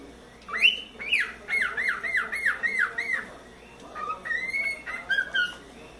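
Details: Juvenile pet cockatiel, four months old, playing on its playground: a run of about eight arched, slightly squawky whistled notes in quick succession, then a pause and a few higher, flatter whistles.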